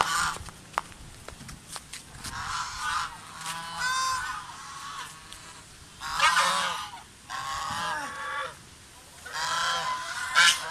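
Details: Group of geese grazing grass at a pagoda in Kean Svay, their leader chasing the recordist; repeated harsh, nasal honking bursts about every two to three seconds, with clicks and handling noise between.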